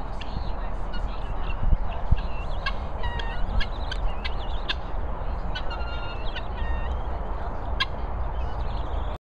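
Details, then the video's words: Hungry guinea fowl keep up a harsh, clattering chorus of quick clicks and brief nasal notes, a few sharper thumps early on, all against a heavy low wind rumble. "Hungry Guinea Fowl."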